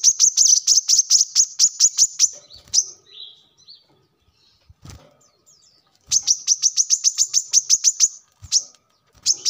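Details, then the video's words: Long, rapid trills of evenly spaced, shrill high notes from a brown-throated sunbird come in two runs of about a dozen, separated by a quiet stretch. The recording is meant as a lure or as a tutor song for birds. "kolibri kelapa | manggar | wiceh | tidak disangka burung receh segacor ini untuk pancingan |masteran"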